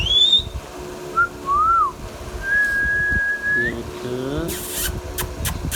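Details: Pet Indian ringneck parrot talking: a high rising whistle, a short note, a swooping whistle, then a long level whistle ending in an upturn, followed by a harsh broadband squawk and clicks indoors.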